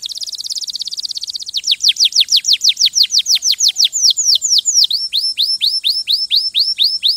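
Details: Canary song starting with a fast buzzy trill, then clear downslurred whistles repeated about twice a second, ending in shorter hooked high notes.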